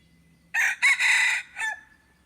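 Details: Decoy red junglefowl calling to draw in wild junglefowl, 10 March 2022. One full raucous crow of four segments, the long third one strained and buzzy, ending in a short drop, over a soft steady hum.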